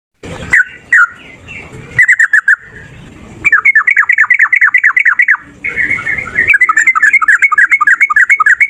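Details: Male yellow-vented bulbul in fighting mood, singing a long rapid 'ropel' song used to lure other bulbuls into answering: a few opening chirps, then fast runs of bubbly, downslurred notes repeated in quick succession.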